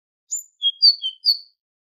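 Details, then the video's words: A tit sings on a goldfinch training recording: five clear, thin whistled notes over about a second, alternating higher and lower in a bouncing pattern, with no other sounds. "تغريد طائر الحداد ( القرقف) شريط تسميع الحسونChant de la Mésange"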